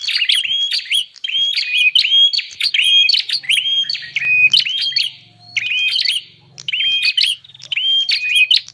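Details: Bar-winged prinia lure sound for attracting wild birds: repeated bursts of whistled chirps with sharp high clicks, grouped phrases separated by short pauses, low hum faintly audible midway.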